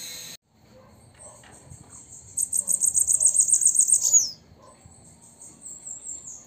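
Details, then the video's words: Female bananaquit singing at sunset: a very high, sibilant, buzzy trill of rapid pulses lasting about two seconds and ending in a brief downward flick, with soft high notes before and after and faint background rustle. "Fêmea de Sibite Cantando ao Pôr do Sol"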